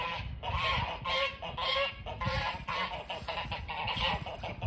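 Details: A flock of snow geese heard from a front porch, giving rapid, overlapping nasal honks about twice a second, with a low rumbling background.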